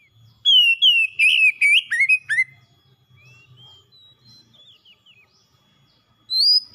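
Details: Caged oriental magpie-robin kept as a pet, in full song: a two-second run of bright whistles and sharp descending slurs, then soft scattered notes, with a new loud phrase starting at the end.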